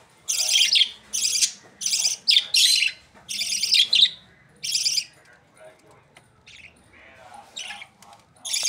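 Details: Budgerigar chicks kept as pets in Pakistan: loud harsh buzzy chattering bursts about a second each, repeated irregularly, then softer scratchy calls.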